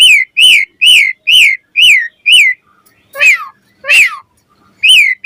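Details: Morning song of an Asian pied starling in full voice: six loud arching whistled notes in steady succession, then two harsher, broader notes, followed by a return to the same bright rising-falling whistles.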